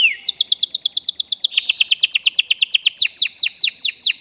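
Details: Caged male canary singing to stimulate a female to mate: a rising whistle, then a long series of rapid, regular descending sweeping notes, like a rolling chirp.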